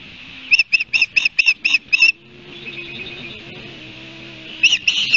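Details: Osprey calling near its nest at Barnegat Light, recorded by nest camera on 29 June. Seven sharp, high whistled notes in quick succession, a quiet gap with faint background tones, then two or three more whistles.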